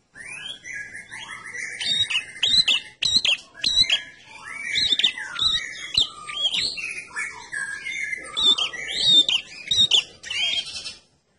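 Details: Red-headed prinia singing continuously as a lure: a long, jumbled stream of sharp chirps, buzzy trills and looping whistles for about eleven seconds without a break.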